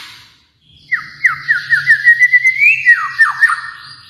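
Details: ['White-rumped shama, Kalimantan, sings a fast series of downward-slurred whistles that climb in pitch. It ends with a cascade of quick falling notes, with a low hum in the background.']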